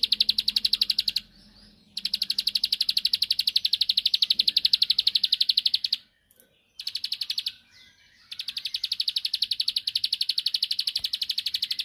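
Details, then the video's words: Long, fast trilled chattering from a bar-winged prinia, sung to stir a rival to reply. Dense high notes run on in long bursts broken by two short silences, with a faint low hum beneath. "Tembakanny Ampuh Pancing Emosi Lawan //Pasti Langsung Nyaut Gacor"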